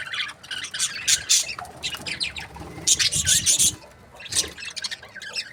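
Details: Budgerigars in breeding pairs give bursts of bright, high chirps and squeaky warbles in clusters, pausing briefly between bursts, with a faint low rumble underneath.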